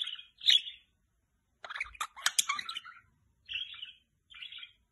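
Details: Pet budgie giving warbling chirps: a bright opening note, then a dense burst of clicks and buzzy twitters, ending in two short nasal chirps.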